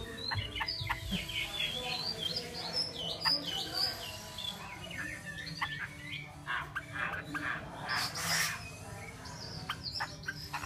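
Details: Varied whistled song of a Chinese hwamei, bright slurred notes and sharp chips in fast bursts, with a short hissing noise partway through and low background hum throughout.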